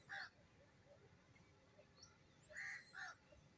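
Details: Black francolin giving its morning call: loud, harsh, grating notes, one at the start, then two close together near the end, with faint chirps from other birds between them.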